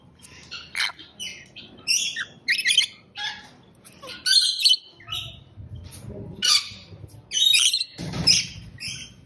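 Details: Rainbow lorikeets chattering with repeated piercing, grating screeches, roughly one burst every second, loud and rasping throughout.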